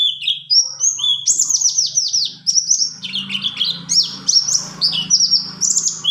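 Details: Rolling 'ngalas ngerol' song of a buxtoni white-eye, meant for training caged birds and restarting silent ones: varied high whistles and quick downward slurs over a faint low hum.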